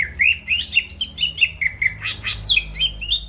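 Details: Rapid chattering song of a greater green leafbird, used to goad rivals: a quick string of short rising chirps and squeaky whistles, about four notes per second.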